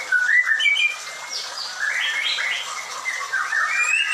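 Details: White-rumped shama (murai batu) at a bird farm delivering a run of quick, varied whistled notes, some rising and some falling, in an almost continuous, lively sequence.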